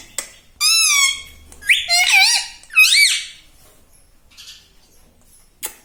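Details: Talking parrot indoors saying words like Mummy, Papa and its own name, three loud harmonic utterances with swooping, wavering pitch in the first three seconds, then near silence with one short click.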